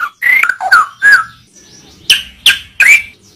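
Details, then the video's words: Short excerpt of white-rumped shama tutor song: a few loud, separate slurred whistles, some falling and some rising, spaced by brief silences. "Masteran burung murai batu suata unik sukses bikin emosi"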